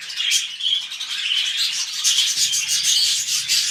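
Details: Budgerigars kept as pets, mating as they begin a new clutch: rapid chattering warble of buzzy trills and short whistled chirps, unbroken, with faint low rustling in the second half.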